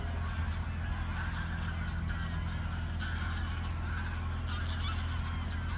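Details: Migrating geese in flight over Koedijk, Langedijk, the Netherlands, on an evening in late August 2019; faint, nasal honks rise above a heavy, constant low rumble of wind or traffic.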